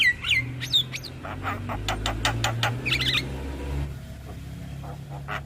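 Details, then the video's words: Javan myna song used as a lure to prompt silent, stressed mynas to sing: short harsh chirps and a run of sharp rising notes, then quieter scattered calls over a steady low hum. "PAncingan Burung Jalak Macet Bunyi / Jalak Stres / Jalak Pikatan"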